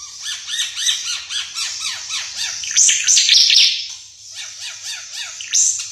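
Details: Ara Mata Merah, a bird endemic to East Nusa Tenggara known for its varied song, pours out an energetic chattering medley of quick downslurred notes and shrill high squeaks.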